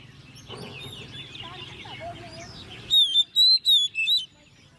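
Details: Caged, hand-raised 10-month-old Oriental magpie-robin in competition singing. A mixed, scratchy warble with faint background voices gives way, after about three seconds, to four or five loud, clear, high whistled phrases with quick slurred ends.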